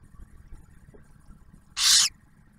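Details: Barn owl on a nest camera near Oak Harbor, Ohio, during the male's food delivery to the female and first owlet; one short, breathy hissing screech over low background rumble.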